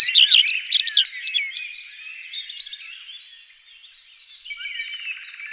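A common redstart sings a brief, high twittering phrase of quick varied notes, followed by softer scattered chirps and thin whistles.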